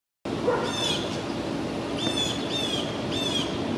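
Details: Two blue jays pestering a two-month-old red-tailed hawk fledgling in Tompkins Square Park, East Village, Manhattan, on 22 June 2022: three clear whistled calls, each a level then slightly bending note, repeated at half-second gaps over steady city noise.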